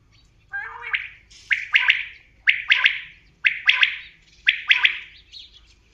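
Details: Common quail calling, a loud liquid phrase of one note followed by a quick pair, repeated about once a second over six seconds against a quiet background.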